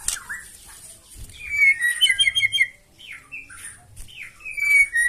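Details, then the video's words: White-rumped shama giving provoking song, somewhat quieter: thin high whistles and a burst of shrill trilled notes, then drawn-out slurred whistles. "KICAUAN MURAI BATU NEMBAK KASAR AUTO NGAMUK SEKALI DENGAR LANGSUNG NYAUT"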